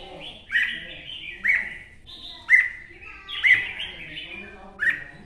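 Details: Red-whiskered bulbul, an adult bird caught from the wild in the forests of Quảng Nam, Vietnam, singing short whistled, warbling phrases. Bright notes slur downward and return about once a second, with a faint low background hum.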